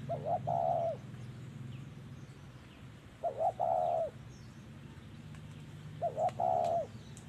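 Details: Spotted dove coos during trapping with a decoy: three phrases about three seconds apart, each a couple of quick low notes then a drawn-out coo, faint chirps of other birds behind.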